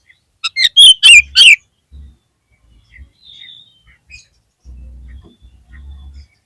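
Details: Lure song of the oriental magpie-robin, or kacer, to revive a dispirited bird: four loud, scratchy whistled notes in quick succession, then quiet with a soft, faint low hum and a brief high whistle.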